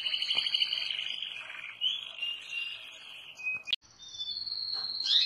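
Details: Canaries of different colours singing: sustained twittering warbles and whistled notes, a brief click and gap, then a long high whistle ending in a quick flourish, with background hiss.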